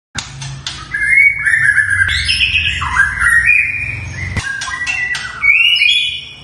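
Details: Long-tailed white-rumped shama, a captive bird kept in a minimal breeding cage, singing loudly: rich whistled phrases sliding between mid and high pitch, with sharp clicking notes and varied fill-in notes, full and crystal-clear throughout.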